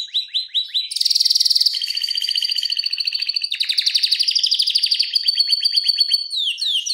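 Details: Energetic canary ngeroll song at close, fast speed for training or provoking other canaries: quick repeated notes merge into a run of dense trills that change pace without pause.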